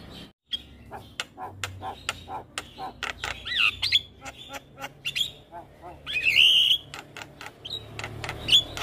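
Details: Young jalak kebo (Javan myna) singing a dense, full training song: scattered sharp clicks and chatters mixed with loud squeaky whistled notes and a buzzy high trill.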